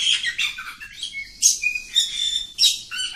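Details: Oriental magpie-robin (kacer kampung) in long, continuous 'ngacor' singing: loud varied whistles and harsh squawky notes, some sliding notes and scratchy bursts, with only short gaps between phrases.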